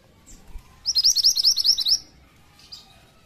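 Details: Pied triller singing a lure song meant to draw in flocks: a single clear, fast trill of about eleven sharp, evenly spaced high notes lasting roughly a second, with near silence before and after.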